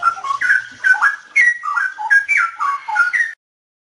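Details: Song of a straw-headed bulbul, cleaned of background noise by editing: a flowing burst of fluty, bubbling whistled notes that ends abruptly, followed by silence.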